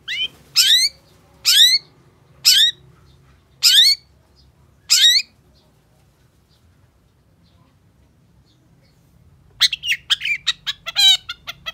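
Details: Long-tailed shrike singing continuously, a recording used to stimulate other shrikes to sing: five harsh, rasping, downward-slurred calls roughly a second apart, a pause, then a rapid burst of scratchy chattering notes.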